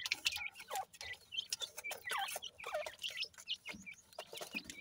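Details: Baby francolins give a busy chorus of high, wavering cheeps and slurred chirps, overlapping in irregular runs, with sharp clicking sounds between the calls.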